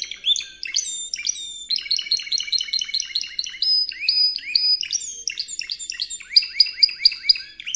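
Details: Canary training recording of a Spanish Timbrado: long varied song of fast repeated metallic syllables, brief high whistles, and rolling trills that change pattern every second or two, with no other sounds.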